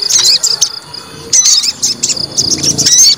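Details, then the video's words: Short burst from a white-rumped shama provoked to fight: clipped high chirps and whistled phrases separated by brief gaps, with a low rumbling noise underneath. "PANCING EMOSI TES MENTAL FIGHTER SOGON"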